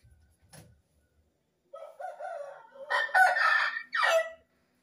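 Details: Rooster before dawn on a cool morning: a softer rising cackle is followed by a loud, raspy crow that breaks into a final strained, falling note.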